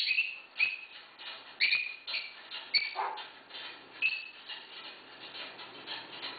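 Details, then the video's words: Captive female African grey parrot living with six dogs, recorded August 8, 2011, imitating barking: a series of short, hoarse, bark-like yelps about once a second, some with a higher squeaky edge. "African Grey Parrot) Barking"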